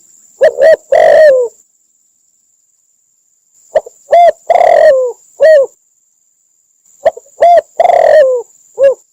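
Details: Spotted dove in Cambodia, call used as a trapping lure: three phrases of clipped coos ending in a longer, falling, drawn-out coo, separated by pauses of about two seconds, over a faint constant high whine.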